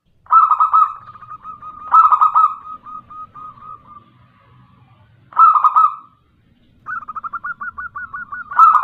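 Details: A local female zebra dove calls to attract males, used as a lure recording. Four bursts of rich, mellow cooing each trail into a stuttering, bubbling series of quick notes. The gaps between bursts are near-silent apart from a soft low rumble.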